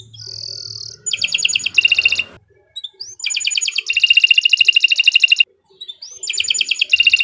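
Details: Kenari Nusantara canary singing. A steady high whistled tone opens, then loud, rapid buzzy trills come in bursts separated by short pauses and soft rising notes.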